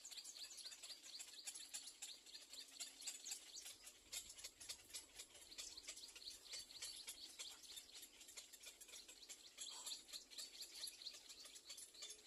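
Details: Hungry Little black cormorant chicks waiting for their mother keep up a rapid, hissy, high ticking beg, around four notes a second, sustained for the whole stretch.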